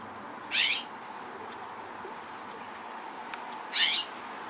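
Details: A California scrub jay in SE Portland, Oregon, USA, on 30 September 2023 gives two harsh, raspy calls about three seconds apart, each short and scratchy, over a quiet background.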